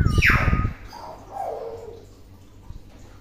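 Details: Indonesian pet hill myna, tame and known for imitating many words, utters a sharp whistle that sweeps up then down, followed by a softer falling slurred note and quiet background hum.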